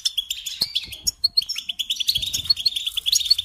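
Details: A short burst of European goldfinch song for teaching young songbirds: quick tinkling twitters with a few clear, ringing high notes repeated near the end.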